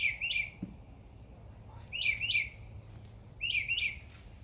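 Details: Backyard birds in summer chirping: short bright down-slurred notes given in pairs, a cluster near the start and two more pairs later, with a faint low hum underneath.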